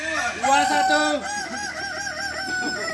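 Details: Balenggek rooster at a crowing contest practice in Ampang Kualo, Kota Solok, gives a stepped, multi-syllable crow: a loud drawn-out opening, then a rapid chain of short arched notes, roughly four per second.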